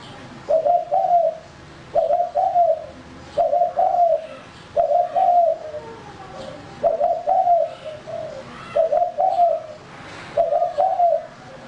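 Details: Male spotted dove (tekukur), a calling bird used to lure others: soft low cooing phrases, each a short double or triple coo, repeated about every one and a half seconds against faint background noise.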